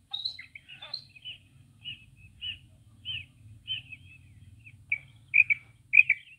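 A female quail gives a run of short, high chirping notes, about two a second, growing louder and quicker near the end over a low rumble.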